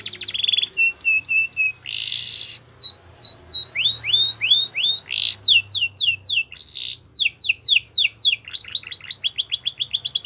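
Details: Canary song for canary training, varied and loud: short repeated notes, a buzzy burst, then long runs of down-sweeping whistled notes delivered in quick series, with a rapid rattling trill to close.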